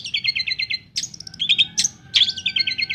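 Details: Long-tailed shrike singing energetically, used as a lure for birds that have stopped singing: quick strings of repeated chirps alternating with sharp whistled slurs and scratchy bursts.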